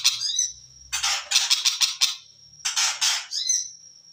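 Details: {'caption': 'Long-tailed shrike: brief squeaks and a high thin whistle, then two bursts of grating, rapidly pulsed harsh notes, ending on another long whistle.'}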